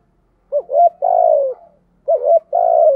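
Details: Spotted dove used as a decoy, cooing thổ style: two back-to-back phrases, each a short wavering double note followed by a long, steady, gently falling coo.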